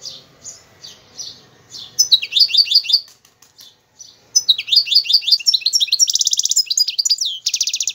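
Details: Algerian goldfinch singing spaced high notes, then rapid chirping phrases of rising, sharp twitters, ending in a buzzy, rattling trill and a short repeated tinkling run.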